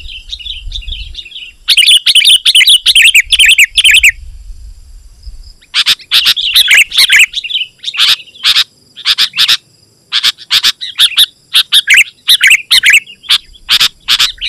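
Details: Sooty-headed bulbul singing a lively 'gacor' song meant to call wild bulbuls: a thin whistled note, then a dense burst of rapid chattering notes, a pause, and a long run of quick sharp chips with bubbly warbles.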